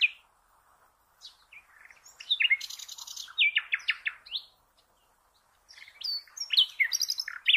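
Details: Common nightingale song for training cage birds: a quiet start, then rapid buzzy repeated notes and clear whistles, a silent gap, and another energetic bout of varied high phrases.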